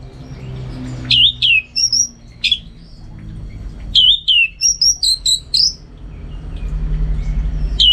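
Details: Caged orange-headed thrush from North Bali giving short, loud, sharply slurred whistles, alone or in quick pairs, with pauses between, over faint room hum.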